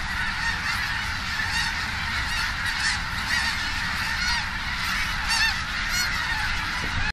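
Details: Tens of thousands of snow geese landing in Richmond, British Columbia, Canada, on October 21, 2005: a dense, continuous roar of overlapping high honks and yelps from the huge flock, with no pauses.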